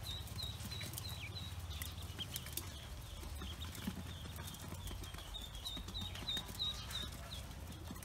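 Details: Freshly hatched Pekin ducklings on a farm peep continuously, brief high thin notes repeated about three times a second over a constant low droning hum and occasional taps.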